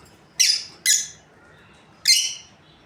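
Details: Lovebirds from a breeding pair utter three loud, shrill squawking chirps, two close together and a third after a pause, with faint room hum beneath.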